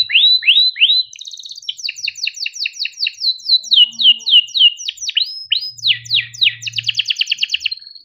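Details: Long 'cuit cuit ngerol' canary song, a prompt for young or silent canaries: curved chirps, a brief trill, a long run of descending sweeps, then a fast rattling roll and a closing whistle.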